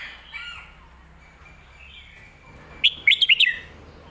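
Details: Red-whiskered bulbul in the popular 'phat kuaitiao' or 'mae bot' song style: faint twittering at first, then one loud, quick phrase of four or five bouncing, warbled notes near the end.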